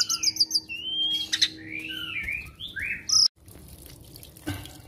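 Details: Asian pied starling, a talkative pet bird noted for imitating other birds, giving a medley of rattling high trills, swooping whistled glides and a sharp squeak, then a pause with soft background hum.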